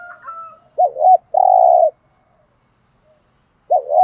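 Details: Decoy spotted dove calling to excite other doves: a low looping double note, then a long, even, vibrating hoo. The pattern starts again after a pause, with a faint higher call at the start.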